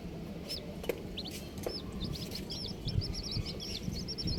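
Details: Several colourful baby chicks chirping in quick succession: thin, high, looping peeps running almost continuously, with low rustling, thumps and handling noise beneath.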